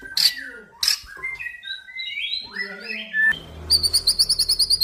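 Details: Crossbred male white-rumped shama of an F series line, singing: two sharp high chips, then a run of varied warbled phrases rising and falling, ending in a fast, even trill of rapid high notes.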